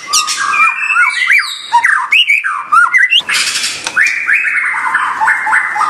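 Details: White-rumped shama song mixing mellow looping whistles with harsh rasping notes and sharp clicks, then a sustained stretch of rapid, rolling warbled phrases.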